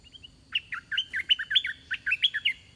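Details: A decoy red-whiskered bulbul sings to draw in wild birds. A few soft introductory chirps lead into a rapid, rolling sequence of about twelve cheerful warbled notes, rising and falling, delivered in two close bursts.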